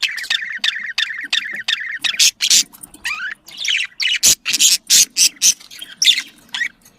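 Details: Budgerigar breeding chatter: opens with a fast run of evenly repeated buzzy chirps, then louder sharp clicks and harsh squawky bursts at roughly half-second intervals, pet birds indoors.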